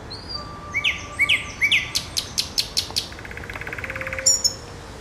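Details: Nightingale phrase with three rising whistled notes, then crisp repeated clicks and a fast buzzy trill. A short high twitter ends it.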